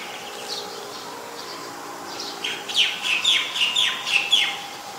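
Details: Common myna (Acridotheres tristis) in Ubon Ratchathani, Thailand, recorded 15 March 2021 on a Nikon P1000: a loud burst of sharp, scratchy chirps and squeaky notes, about two per second, above a faint low steady hum.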